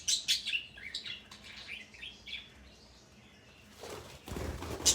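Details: Male parrot calling at length on this day: a quick run of high, squeaky chirps and short whistled notes over the first three seconds, then a quiet pause, followed by loud broadband rustling bursts like flapping wings near the end.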